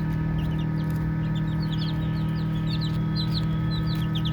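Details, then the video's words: A handful of baby chicks at play give sparse, then busier, short high peeps, set above a constant low humming sound. "Baby Chicks Chirping Sounds"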